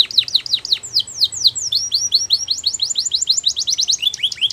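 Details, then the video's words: Canary song meant for training young canaries: rapid high descending notes repeated in quick series, shifting into a faster rolling trill, with a faint low background hum. "The Best Canary Sounds !! Reliable Canary Training"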